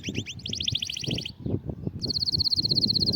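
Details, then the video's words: Canary song aimed at getting a quiet canary singing: quick doubled sweeping notes in a run, a short pause, then a high even pulsed trill, with low thumping noise throughout. "إياك تقول عصفوري الكناري ساكت أدخل عليه البهجة بالمقطع الأكثر تحفيز نار نار Canary"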